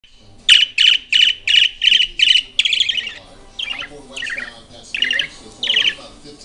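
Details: A pet parakeet, recorded 7 July 2016, chirps and warbles in response to a radio: a quick run of about eight bright, evenly spaced chirps, then a looser, buzzier warble, while a radio traffic report murmurs in the background.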